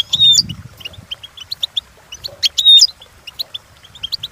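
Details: Trained European goldfinch song: rapid chirpy notes around high pitch with bright whistled trills and buzzy bursts, sequences of short repeated tweets, a low thump near the start.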